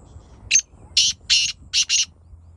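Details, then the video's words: Black francolin, called kali teetar, calling to draw wild francolins closer in the jungle. One short sharp note is followed by four harsh, grating, buzzy bursts, spaced roughly every third of a second. The background is quiet. "Aisi kali teetar ki jadooi awaz Jo Qareeb bulwaye Apni awaz pr Jungli teetar ko Jungle me"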